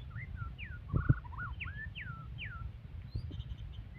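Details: Aggressive white-rumped shama singing a varied run of loud, clear whistles, mostly sweeping downward, broken by a short buzzy trill and looping notes, with a couple of soft knocks.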